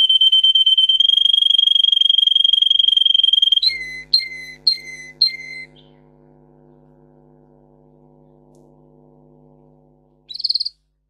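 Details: Russian singer canary song for teaching canaries to sing: a steady high trill, then four whistled notes sliding downward, a pause with a faint low hum, and a short high burst at the end.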